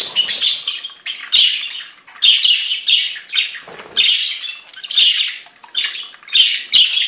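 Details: Budgerigars from a breeder's flock in song: bursts of harsh, buzzy chatter and squeaky chirps, coming in pulses about every second, several birds overlapping.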